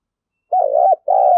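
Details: Short burst of spotted dove cooing, used to stir a decoy bird to coo: a wavering coo and the start of a long steady coo, cut off abruptly.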